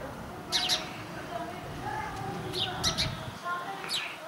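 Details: Indian house sparrow in India, with quick high chirps in doublets and triplets, sharp and slightly downslurred, heard over a low continuous background drone.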